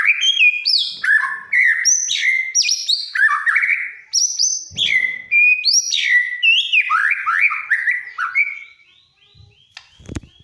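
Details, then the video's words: A white-rumped shama sings in a lively, actively singing state meant to set other birds singing. It pours out a dense stream of varied whistled notes, slurred sweeps and chattering trills, jumping between pitches, then fades to near silence with a few clicks at the end. "Suara burung murai ini ampuh membuat yg lain bunyi. BURUNG MURAI BATU GACOR"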